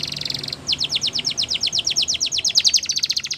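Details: Singing canary: a short buzzy roll, then a long even trill of rapid sweeping notes, roughly eight a second, loud and bright.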